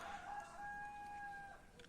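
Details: A rooster crowing like an alarm clock: one drawn-out, fairly faint crow that holds a steady tone for about a second before fading, over a hissy background.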